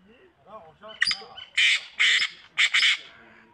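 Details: Black francolin, locally called kala teetar: three loud, harsh rasping bursts about half a second apart. Softer voice-like tones come before them.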